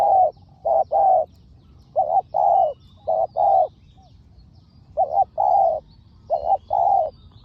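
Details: Spotted doves, a decoy bird and a fierce rival, in a Thai lure-trapping session; soft throaty coos in paired groups, a short note then a longer one, with brief pauses between phrases.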